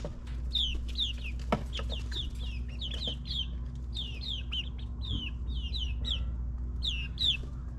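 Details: Backyard chicks in their ninth week peep continuously, short downward-sliding notes in quick succession, with a loud steady low hum of suburban machinery such as a lawn mower.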